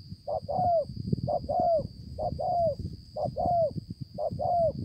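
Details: Wild-caught spotted dove in Konlong, 5/9/2020. Five evenly spaced double coos, each a brief note leading into a longer falling one, over low rumble and a constant thin high tone.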